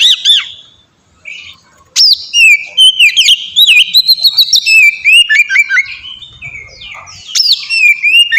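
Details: A kacer, the oriental magpie-robin, in ngeplong style song used as a lure to make kacer sing: after a brief gap, strong clear whistles, swooping slurs and quick chip series flow almost without break.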